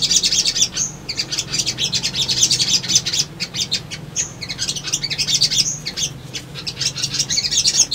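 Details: Sunbird singing energetically for a lure track to draw responses: dense, nearly continuous high-pitched twittering with rapid chips and brief thin whistles, phrases separated by momentary gaps, faint low background hum.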